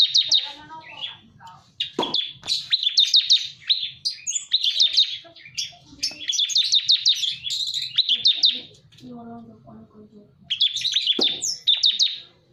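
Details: Bar-winged prinia used as a lure: long runs of rapid high chipping notes in dense rattling bursts, broken by short gaps, with some lower warbled notes and faint background hum.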